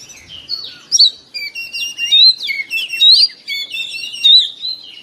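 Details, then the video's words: Oriental magpie-robin in morning song meant to set caged birds singing: loud, clear whistled phrases and chattering slurs, repeated in strong bursts about once a second. "TERAPI KACER BIKIN RAMAI OCEHAN DI PAGI HARI"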